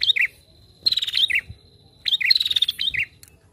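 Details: Lively female prinia: two bouts, each a curling chirp, a fast buzzy trill, then another curling chirp, about a second apart.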